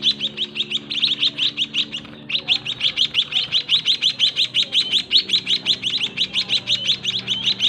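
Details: Caged white-headed munia nestlings being fed by their parents in a cramped breeding cage. They give a dense, fast stream of sharp, high cheeps, nearly three per second, with a brief pause around two seconds and a steady low hum beneath.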